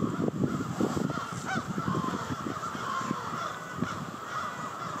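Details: Nighttime murder of crows descending on Victoria Park, Charlottetown, Prince Edward Island; endless overlapping caws from a vast flock, accompanied by heavy low-pitched rumbling and thumping noise.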